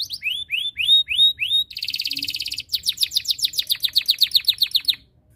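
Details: Canary singing to prompt rivals to join in: rising whistled notes, a dense buzzy rattle, then a long fast series of sharp descending chips, clear against a quiet low hum.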